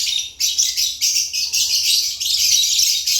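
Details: African lovebirds kept as pets, chirping in a continuous stream of shrill, high-pitched squeaky notes, overlapping and barely pausing for about three seconds.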